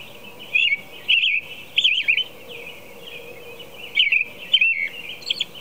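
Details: American robin singing at 4:00 a.m., caroling in short, clear whistled phrases of about half a second each, in bursts every second or so, over a faint steady low hum.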